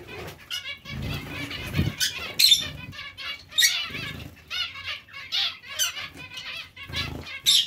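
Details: Zebra finches chatter continuously in a colony shared with Bengalese finches: overlapping nasal beeps and chirps, occasional sharp high squeaks, and low wingbeat rustles throughout.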